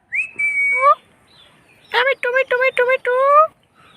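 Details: Rose-ringed parakeet (Indian ringneck) talking in the afternoon, said to be saying "mitthu mummy": a clear rising whistle, then a quick run of five or six voiced, speech-like syllables with strong harmonics, ending in a longer drawn syllable.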